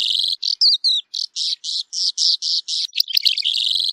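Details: Calandra lark song: a few quick whistled slurs, then regularly spaced rasping buzzy notes, closing in a dense scratchy chatter. Nothing else is heard.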